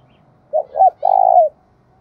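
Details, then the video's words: Decoy spotted dove gáy phrase for luring wild doves: two clipped mellow coos, then one extended, quavering note lasting about half a second and falling at the end, with a slight low rumble behind. "chim cu mồi gáy hay dùng kích bổi rất hiệu quả"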